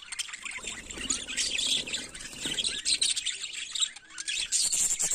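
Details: Several budgerigars warbling in the morning, producing a lively tangle of high twittering notes, squeaky chirps and rapid trills that never pause, with faint low background rumble.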